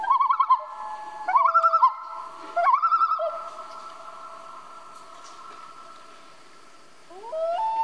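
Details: Common loon calling at night: three quick wavering tremolo bursts, then a long steady wailing note that holds for about two seconds and fades, followed by a rising note near the end; quiet background.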